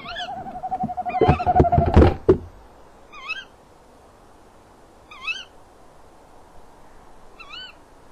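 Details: Eurasian eagle-owl at a nest box, 18:41 on 27 February 2016; after the male leaves without a mouse, the female calls after him. Quavering tone and thumping scuffles, then three short wavy yelps about two seconds apart.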